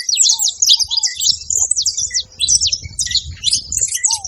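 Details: Several saffron finches together at a feeding spot make a dense, continuous chorus of high, sharp chirps and short trills that overlap without pause. A soft, low, curved whistle sounds twice early on, over a faint low rumble.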